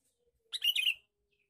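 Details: A single male sooty-headed bulbul lure call: a quick, liquid, gurgling phrase of about half a second with rapidly changing notes, otherwise quiet.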